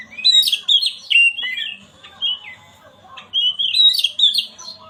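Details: Oriental magpie-robin singing, used to stir a quiet bird into song: rapid, rich whistled notes and chirps tumbling in quick varied runs, a pause, then another lively burst; faint low hum underneath.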